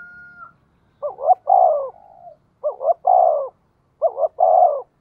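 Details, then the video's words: Spotted dove calling in the 'giọng thổ' voice as a lure to provoke wild birds. After a brief steady tone, three even phrases follow about every one and a half seconds, each two quick rising notes and a longer falling coo. "cu gay kich boi nhanh noi gù, tiếng thúc cực đỉnh"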